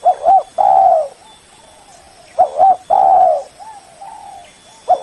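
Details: Spotted dove giving a rival-luring call: stuttering double coos each followed by a long full coo, then softer wavering coos, repeated in two cycles.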